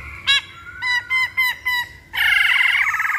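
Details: Lure recording of a masked laughingthrush meant to get birds singing: a clipped note, then four evenly spaced ringing, harmonic notes, followed by a sustained loud, harsh, buzzy chatter.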